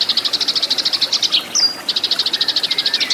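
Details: Eurasian tree sparrow in a fighting vocal duel, used to train cage birds: quick even chirps, a sudden squeaky slurred note midway, then the rapid chirping resumes.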